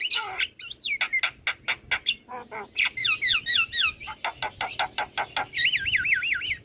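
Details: Javan myna champion song used as a master for other birds: choppy clicking notes interrupted by looping whistled phrases, ending in a wavering whistled trill that rises and falls repeatedly.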